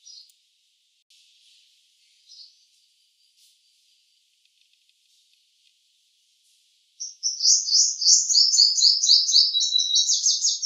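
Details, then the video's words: Scattered faint high chirps and soft clicks from a purple sunbird over several quiet seconds, then a loud, fast, high jingling song bursts in and fills the last three seconds. "Song of Purple Sunbird"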